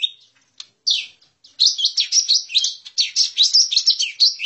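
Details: Lesser green leafbird lure call: a few scattered high notes, then from about one and a half seconds a dense, loud run of quick chattering and whistled phrases without a break; no other noise.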